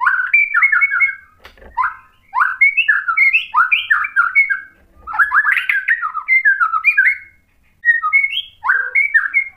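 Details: White-rumped shama singing to stir a rival bird into answering: a dense run of quick, varied whistled and chattering phrases in bursts separated by brief silences.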